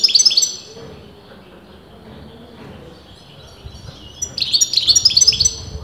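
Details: European goldfinch, a bird whose sex experienced breeders disputed, giving continuous song: a short burst of rapid, bright twittering notes, a quiet pause, then a longer run of high, quickly repeated chirps.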